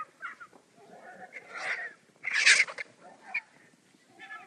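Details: Vultures squabbling over food: harsh, breathy hissing and rasping bursts of varied length, the loudest a broad noisy snarl around the middle, separated by quieter scratchy grunts and gaps.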